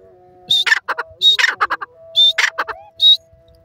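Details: Grey francolin (teetar) calling: loud harsh bursts of strident, buzzy notes in quick broken phrases, some with a high ringing whistled tone, over a steady faint background hum.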